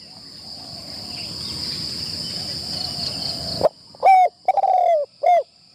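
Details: Spotted dove in a decoy-trapping enclosure, first training outing. A noisy rustling passage gives way to a run of four soft coos: a short note, a longer drawn-out one, then two brief falling notes over a persistent high whine.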